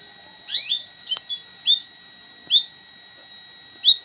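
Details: White-headed munia song used as tutor material for training an oriental magpie-robin: high, thin slurred whistles, a short chittering burst, then single sharp rising notes spaced about a second apart, over a steady electronic whine.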